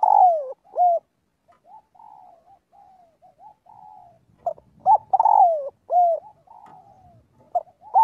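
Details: Spotted dove calling the flock as part of daily voice training. A falling coo and an arched note, several seconds of soft low cooing, then a complete second phrase with quick coos, a long descending croo and an arched close.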